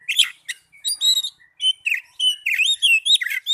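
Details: Oriental magpie-robin song as therapy for young birds and birds that stopped singing: brief buzzy notes, then clear rising and falling whistles strung into a fast, continuous phrase.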